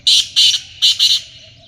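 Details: Black francolin in a hunting setting giving its harsh, rasping call: four loud grating bursts in two close pairs, high-pitched and scratchy, against a quiet background.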